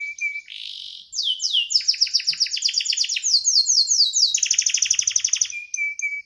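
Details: Domestic canary, a kept songbird, singing in a quick rolling style: a steady high whistle, then rapid repeated trilled notes sweeping down in fast series, running about four per second, ending back on the level whistle.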